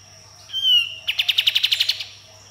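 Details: Sooty-headed bulbul in vigorous song with shot-like bursts: a ringing slurred whistle, then a fast string of about ten crisp, evenly spaced clipped notes that fade at the end.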